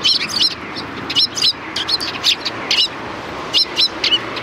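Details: A group of sparrows welcoming a person at a Tenmangu shrine's back entrance, 25 February 2020, chirping loudly in bursts of two or three high notes, fairly continuous throughout.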